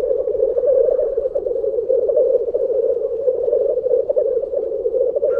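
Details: Black grouse lek at World's End, Minera, North Wales, around 5 am while still dark, about twenty birds at their most vocal: a steady, low, bubbling rookooing coo that pulses without a break, likely from several males.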